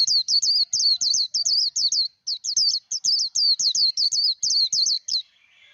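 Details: Japanese white-eye giving 'líu đấu' fighting song, meant to train a newly caught bird's voice: long runs of high, quick, looping whistled notes about five per second, broken by brief pauses, ending in faint twitter.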